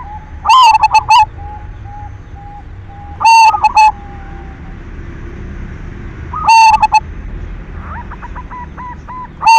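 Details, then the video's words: Lure song of an actively singing silver zebra dove, meant to stimulate other doves to sing: three loud, choppy cooing bursts about three seconds apart, with a faint series of quick repeated notes near the end. "Perkutut silver gacor SUARA PANCINGAN cocok buat merangsang BIRAHI BUNYI"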